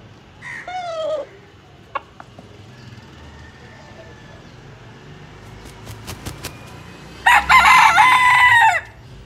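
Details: White Leghorn rooster giving a loud, harsh, drawn-out crow near the end, preceded by a short wavering call and a few faint clucks and clicks.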